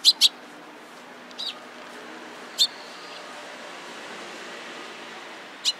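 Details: Sparrows gathering around, recorded 27 April 2017: a quick pair of sharp high chirps opens, then isolated chirps at long intervals over a steady background hum.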